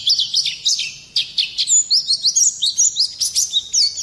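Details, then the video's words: Shrill 'ngerol nembak kasar' song from an Oriental white-eye, used to provoke other songbirds; a short pause, then evenly pulsed high chirps and thin whistles about four per second. "Pleci gacor ngerol nembak kasar cocok mancing emosi"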